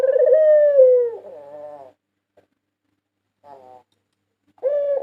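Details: Champion white Barbary dove, national winner in 2022, used as a lure: one long, smooth, slightly falling coo with a quieter rolling tail, then near silence broken by a short fragment before another coo begins.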